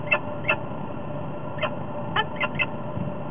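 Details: Peregrine falcon flying in to a nest ledge in Topeka, on 29 September 2010 at 18:45, calling repeatedly, with a second falcon also audible: short sharp chips, six in about three seconds, over steady background hum.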